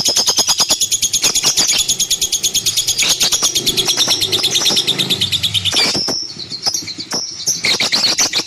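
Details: Lovebird song as a long, shrill, buzzy trill of rapid repeated chirps that briefly breaks off near the end, then resumes with sharp squeaky notes.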